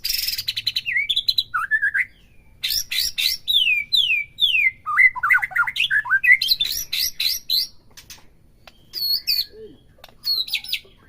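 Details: White-rumped shama in full song, used as a stimulus for a captive bird: loud, varied whistles rising and falling, rapid stuttered notes and bursts of high chatter, separated by short breaks.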